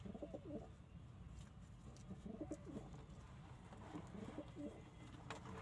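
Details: Kept pigeons cooing: soft, low, throaty coos in short repeated bursts, roughly four groups spread over a few seconds, with a steady low hum and faint background noise underneath.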